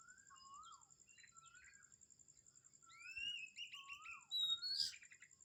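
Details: Morning at Kamphaeng Saen: falling whistled notes repeat, then build into a louder run of rising slurs and rapid trills from more than one bird, with a steady high hum throughout.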